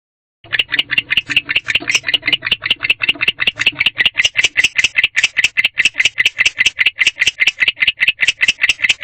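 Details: Male barn owl alone in a nest box by a drive at 1:21 am, chirping to call a partner; rapid harsh chirps repeated about two and a half per second, steady and continuous after a brief silent start.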